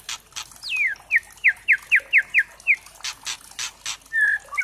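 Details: Spotted white-rumped shama lure song meant to provoke other birds into singing: a string of about eight quick, evenly spaced downslurred whistles, with sharp clicking bursts before and after.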